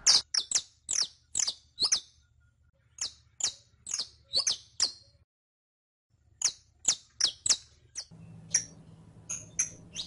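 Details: Saffron finch song used to teach captive birds: strings of crisp, high, downward-sliding chips with brief breaks and a near-silent gap midway. A low hum runs in the background.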